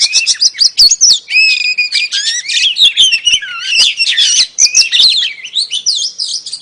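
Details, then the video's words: Female oriental magpie-robin calling to attract a male: rapid mixed warbling with clear whistled slurs, buzzy trills and sharp clicks, continuous over six seconds. "KICAU KACER BETINA AMPUH PANCING KACER JANTAN LANGSUNG GACOR"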